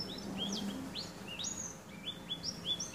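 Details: A male Black-throated Canary, trained with a goldfinch, sings a quick run of thin, high, upslurred whistles and twitters, several notes each second, over a low steady hum.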